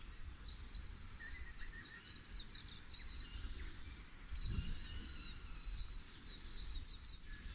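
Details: New Zealand Silvereye (Tauhou) in inland Kapiti bush in March, early autumn, feeding on insects and native bush fruit. It gives thin, high, slightly descending notes about every second over a steady low rumble of background noise.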